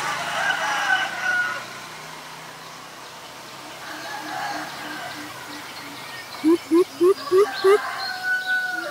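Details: Other birds chatter and whistle for several seconds before a greater coucal, a common resident in Ubon Ratchathani, Thailand, breaks in with five resonant, low hoots near the end; April 21, 2022.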